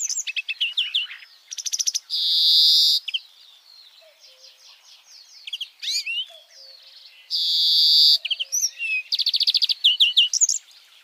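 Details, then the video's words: European greenfinch in full song, alternating fast twittering trills with long buzzy wheezing notes about a second long, the buzz repeated twice; faint low whistles from another source in the background. "Carduelis Chloris Florinte"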